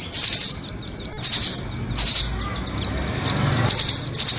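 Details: Nuthatches, rambatan doraemon and red-billed rambatan, played as a trapping lure: high, dense trilled bursts alternate with short sharp chips in quick irregular series, loud and close, with a faint low hum underneath.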